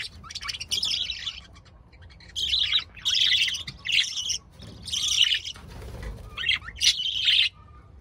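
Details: Budgerigars chattering: bursts of buzzy, scratchy warbling notes in clusters about half a second to a second long, separated by short pauses, with a faint low background hum.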